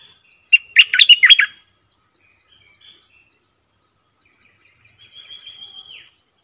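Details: Streak-eared bulbul, a caged decoy bird used to lure wild birds and train young birds, gives one quick burst of bubbly, chattering notes lasting about a second, followed later by a faint, thin, drawn-out whistle.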